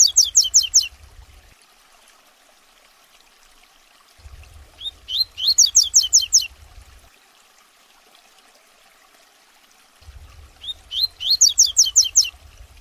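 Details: Captive double-collared seedeater singing the tuitui song for young birds to learn: three bursts, each of six to eight rapid, ringing, steeply falling whistles, about five seconds apart, with quiet low hum between.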